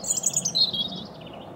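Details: Robin singing across a field to another bird, which is audible in the background; a brief thin, very high twittering phrase of quick wavering notes that drops slightly in pitch, over a low steady background hum.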